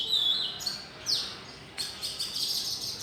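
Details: Bird chorus welcoming the new day: a clear high whistle, sharp downward-swept chirps and a dense patch of twittering toward the end.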